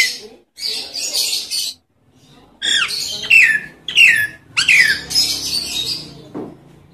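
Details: Lure calls of a Nias hill myna, meant to prompt silent mynas into song: harsh squawks followed by loud, clear whistles that slide downward, given in quick succession.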